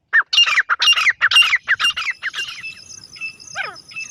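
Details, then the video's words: Partridge (teetar) calling in a rapid run of harsh, grating notes that fade after a couple of seconds, followed by a thin steady tone and a few weaker chirps. "best Teetar awaaz"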